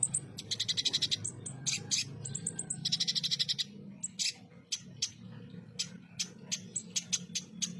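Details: Ruby-cheeked sunbird, known locally as konin, in a rough 'full tembakan' song style used to tutor contest birds: rapid buzzy trills of very high notes alternate with thin whistled series, then sharp separate chips, over a low hum.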